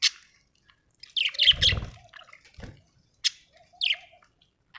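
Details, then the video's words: Budgerigar in a happy mood giving scattered sharp chirps and a short scratchy warble, with dripping or splashing sounds between. "happy budgie chirping sound"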